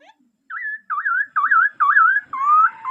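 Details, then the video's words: Clear, looping whistles from a laughingthrush, each phrase a wavy, yodel-like slur, given in a steady sequence of five or six phrases. "Tiếng chim khướu hót hay nhất"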